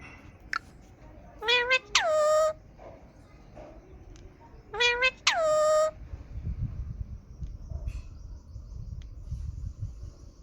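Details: Green ringneck parakeet said to be talking: a click, then two paired calls, each a brief rising note and a longer downward-sliding squawk, followed by low rumbling room noise.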